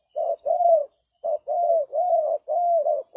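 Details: Close, loud low coos from a spotted dove kept as a decoy to lure birds, delivered in quick back-to-back notes with one short break.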